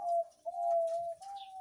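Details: Zebra doves kept at a breeding farm, visited on Wednesday 3 July 2019, birds aged about half a year or younger; a steady, mellow cooing phrase of sustained low tones, broken by a short pause, then resuming level and even.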